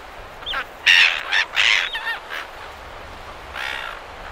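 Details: A group of silver gulls at Perth, Australia, close to the microphone with surf in the background; a quick run of loud, rasping squawks in the first two seconds, then a softer cry later.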